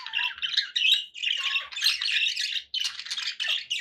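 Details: Kept budgerigars chatter in dense, rasping bursts, some low whistled strands weaving beneath the squawky warble, with two short dips in the flow.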